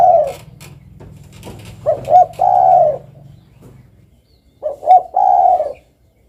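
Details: Spotted dove calling with a short double note followed by a drawn-out, gently falling coo, given twice about three seconds apart, with faint clicks and low hum before the first phrase.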